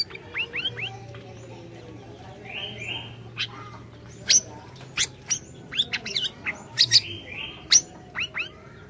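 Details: Orange-bellied leafbird in full song, recorded as a lure to get a silent bird singing: sharp, high chirps and short downslurred whistles scattered over nine seconds, with brief buzzy trills between them and a low steady hum beneath.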